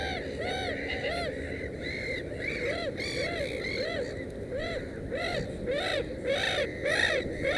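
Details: Black-headed gulls at a nest with three chicks, 16 May 2015, give harsh, arching 'kree-ar' calls, about two a second and overlapping from several birds, over a steady rushing background.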